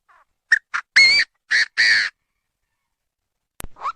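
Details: Chinese francolin calling: two short clipped notes, then three loud, harsh, grating syllables with a rising inflection on the first, all within about two seconds. A faint click follows after a silence.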